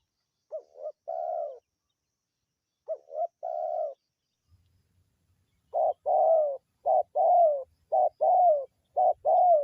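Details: Local Indonesian spotted dove, used as a lure call to attract birds: deep two-part coos, a short note then a longer rolling one, repeated in phrases, quickening to a fast series near the end; faint low rumble midway.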